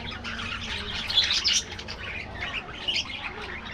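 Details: Aviary budgerigars eat their afternoon meal, giving busy high-pitched chirping and squawky warbles. Several birds overlap, with a brief louder burst mid-clip and a low hum beneath.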